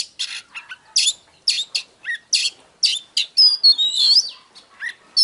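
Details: Oriental magpie-robin song of harsh, buzzy chirps spaced about every half second, broken by a few thin, high whistled slurs and rising glides near the middle, in a quiet setting.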